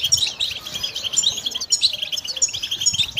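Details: European goldfinch kept as a pet, giving rapid high-pitched twitters and bright tinkling chirps that run together without pause, over faint low background rustle.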